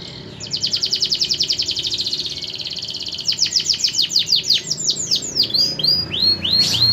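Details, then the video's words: Canary singing: a fast, even trill of sharp high notes, then a slower series of downslurred whistled sweeps and clear slurred phrases, loud and close, over a faint low hum. "Burung kenari prospek"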